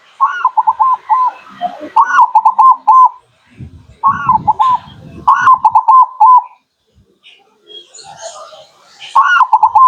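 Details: Zebra dove (local perkutut) lure song: several phrases, each opening with a higher note and continuing as rapid stuttering coos, with low rumbling between phrases and some faint high chirps.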